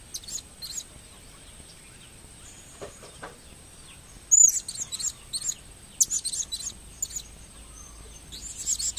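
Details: Blue-crowned hanging parrot, kept bird, 2015 recording: sparse high squeaks at first, then loud rapid bursts of shrill chirps, over a constant faint high whine.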